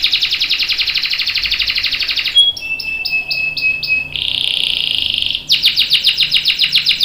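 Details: Canary song with a long roll, used to prompt and train other canaries to sing: a fast buzzy trill, then a pure whistled note over clipped tones, a dense rolling buzz, and quick repeated downslurred notes.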